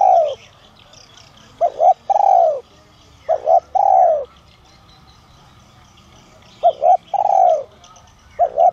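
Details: Calling spotted dove ('son' voice) used to lure other doves. Several phrases of a paired short coo plus a prolonged descending coo, with pauses between groups and light bird chirps throughout.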